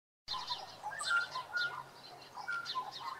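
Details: An Australian magpie in Tasmania gives a rich, warbling run of fluted notes and harsher bursts over about three seconds, with a faint low hum behind.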